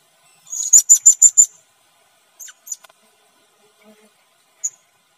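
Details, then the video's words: Red-necked serendit calling in Sabah during bird luring, where two birds came down onto glue traps. Five shrill, very high squeaky notes are rapidly repeated, followed by a few isolated sharp chips amid near silence. "MEMIKAT BURUNG SERENDIT LEHER MERAH"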